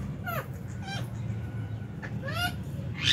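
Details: Aviary lovebirds chirping during feeding time, January 2023; quick downward-bending harmonic chirps about every half second, then a sharp rising squeak at the end, against constant low background hum.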